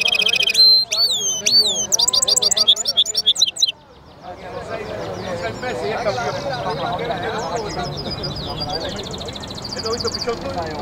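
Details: Goldfinch mule song opens with rapid high trills and looping whistled notes for about four seconds, then fades into a soft, busy background murmur of distant chirps.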